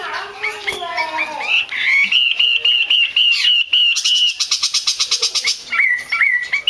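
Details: Chinese hwamei female, used by keepers to make males sing more, giving a jumble of slurred notes, then steady repeated whistles, a fast dry rattle, and closing looped whistles.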